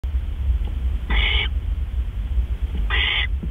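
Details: Great horned owl at the nest in the early hours of 10 April 2013, around 1:43 AM, as prey (a gopher) is delivered: two short, harsh, raspy screeches about 1.8 seconds apart over a steady low rumble.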